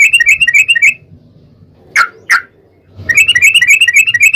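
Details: Yellow-vented bulbul 'ropel panjang' long trill used to provoke a rival bulbul into song: a fast chattering trill, a pause with two sharp liquid notes, then the rapid trill resumes, over a quiet low hum.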